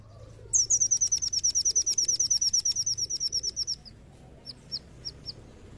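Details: Lure song of a brown-throated sunbird for getting other birds to sing. A sustained, very high, rapid trill of sharp repeated notes runs about three seconds, followed by four spaced single chips.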